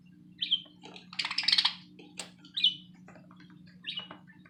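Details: Pet budgerigars, playing, give short high chirps and a burst of scratchy chatter over a steady low hum.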